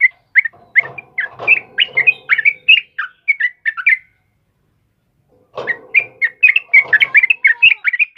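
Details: Sooty-headed bulbul chattering for cage-bird training: bursts of quick, bright whistled notes over a muddy lower chatter, a pause of about one and a half seconds, then another busy run of bubbly phrases.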